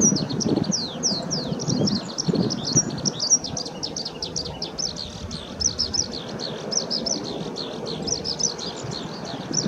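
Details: Skylark in full song on 22 May 2016 along the Ōhori River, Japan, pouring out an unbroken stream of fast, high, chirping and rolling notes for nearly ten seconds, with low background rumble beneath.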